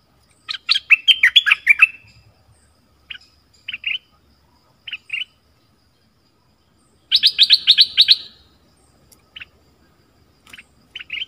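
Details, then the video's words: Bursts of dense, rapid chirping trills from a dok taeng bird separated by short isolated double notes and pauses, on a 2020 recording used to teach young birds the song. "เสียงนกดอกแตงเจ้าเพชรกับเจ้ามณี เสียงใหม่ล่าสุด2020ไว้สำหรับต่อ ใช้หัดลูกนกให้ร้องตาม"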